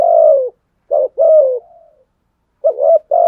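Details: Decoy spotted dove cooing to stir rivals into fighting: long falling coos and short paired notes, a soft trailing coo between, loud and close with no other sounds.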